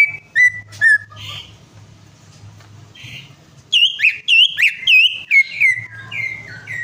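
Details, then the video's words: Greater green leafbird song used as a prompt for a bird that has stopped singing: loud clear whistled notes with hooked upslurs, sliding descending phrases and short pauses, with a low steady hum underneath. "PANCINGAN CUCAK IJO MACET PARAH"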